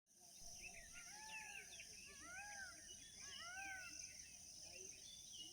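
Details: Wild birds at sunrise in a village near Vansda, India: soft whistled notes rising and falling in arcs, with overlapping chirps from several birds and a steady high insect hum behind.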